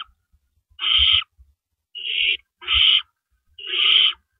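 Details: Night-time owl nest, April 4, 2012, about 4:30 AM, adults coming and going with rabbits; four breathy, rasping hisses at irregular gaps, with soft thuds and bumps beneath.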